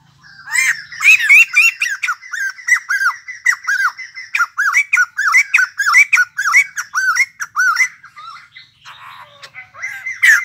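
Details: White-crested laughingthrush, a newly arrived wild-caught cage bird, pouring out loud rapid chattering: arched, ringing notes repeated several times a second in a long laughing run, with clear quiet between phrases.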